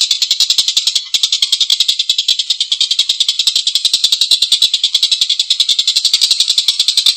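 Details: Long, coarse laughing call of a collared kingfisher, an unbroken rattle of rasping notes at a quick, steady pace, about three to four per second, with a short dip near the start.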